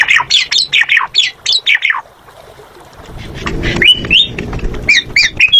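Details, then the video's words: Asian pied starling, known locally as jalak suren, singing in a lively gacor style: a quick run of loud whistled and harsh notes for two seconds, a pause with low rumbling noise, then more whistled phrases. "Suara Burung Jalak Suren Gacor"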